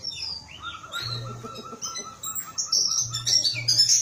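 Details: Small whistling thrush giving a varied run of high whistles and twittering phrases, busier toward the end, against a low droning hum and a faint steady tone.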